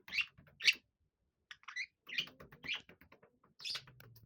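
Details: Pair of pet budgerigars, male aged six and female aged seven, playing in a bellows tunnel; sharp chirps and soft warbled chatter in quick bursts amid scratching and rustling noises in a small room.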